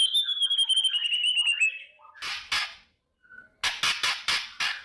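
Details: Kretekan song of a white-rumped shama in the morning, played to stir fighting mood; a descending trilled whistle, then pauses broken by loud harsh rattling bursts and a faint low whistle.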